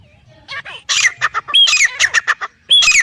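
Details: Black francolin male and female: loud, raspy notes in quick clusters, some with sliding downward squeals, separated by short gaps, over a low background hum.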